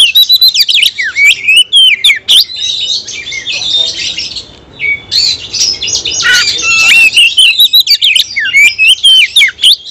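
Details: Full-repertoire song of an oriental magpie-robin: rapid chips and bright whistled slurs, then a dense buzzy scratchy passage before quick, jumping whistled notes return, all loud and nearly unbroken.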